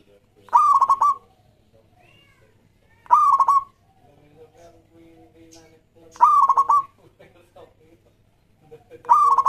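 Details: Local Zebra Dove lure song for starting other doves singing: four stuttered cooing phrases of fast pulses on a steady ringing tone, repeated roughly every three seconds, with faint soft murmurs between.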